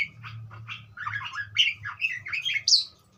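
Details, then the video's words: A budgerigar chattering in short, rapid squeaky and raspy notes, ending on a sharper high chirp, over a low background hum. "suara burung parkit joss"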